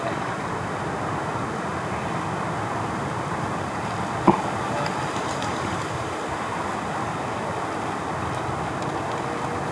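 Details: Continuous traffic and wind noise on Oahu, Hawaii, with a single sharp click midway and no animal voices.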